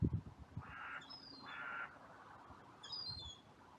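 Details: Crows in a cemetery on a sunny day, after a brief fight between two crows: two hoarse caws over low rumbling, with thin high chirps from smaller birds.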